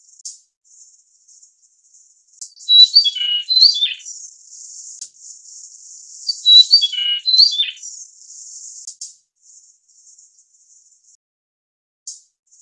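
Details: Grey-cheeked fulvetta (Alcippe morrisonia morrisonia), Taiwan endemic subspecies, calling: two short, high sweet phrases of quick descending whistled notes about four seconds apart, over a steady high insect hiss.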